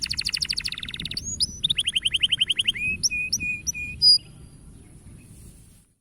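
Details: Canary singing to encourage young birds to sing: a rapid buzzy trill, a quick run of repeated chirps, then scattered high whistled notes ending in silence.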